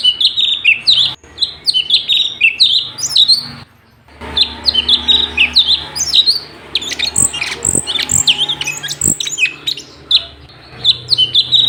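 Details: Sooty-headed bulbul song used as a training recording for other cage birds: dense, fast bursts of high chirped and slurred whistled notes, with brief pauses and a few low thumps.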